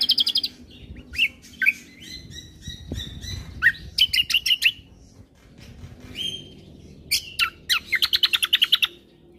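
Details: Combo bulbul song meant to make birds that hear it noisy: alternating rapid trilled chirp series, buzzy whistles and short sharp notes, with bursts of about three repeats a second.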